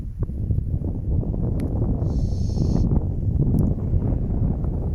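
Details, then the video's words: Barn owls nesting in an old croft house on a windy November night, the male choosing a new nest site and trying to convince the female; one long, steady, airy hiss midway, over loud rumbling wind. "Barn owls loud hissing on a windy night."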